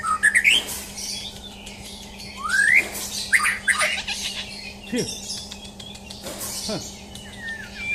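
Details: White-rumped shama, a champion bird in a mental test, singing swift rising whistles and harsh buzzy notes, with a couple of low downward swoops and a twittering phrase at the end, over a steady hum.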